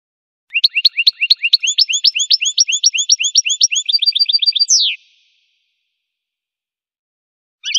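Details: Goldfinch song: four seconds of rapid, rhythmic twittering notes, shifting into a faster even trill. It closes with a descending buzzy slur, then silence and a brief final note.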